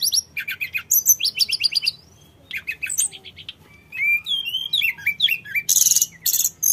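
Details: Tledekan gunung, the sooty-headed bulbul, in vigorous song to make untrained birds reply; fast repeated chips, a pause, then rising and falling whistled slurs ending in a harsh buzzy burst.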